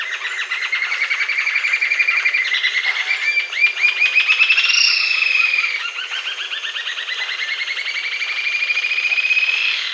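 Green-tailed Jacamar giving a long, rapid series of high, thin notes that accelerate into a rising, trilling run, with a second bird apparently overlapping.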